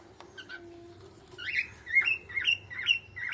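A cockatiel whistles a quick run of bright, slurred notes, each rising and then dipping.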